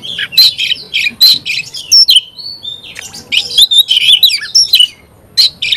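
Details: Oriental magpie-robin song packed with loud whistled slurs and chattering trills. A brief pair of drawn-out pure whistles sits mid-phrase before fast varied notes resume.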